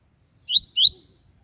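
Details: Song phrase of a Yellow-bellied Seedeater, papa-capim baiano, from Aracaju, Sergipe, Brazil, in the TUI TUI style: two clear, high, upward-sweeping whistled notes in quick succession, 'tui tui', on an otherwise quiet background.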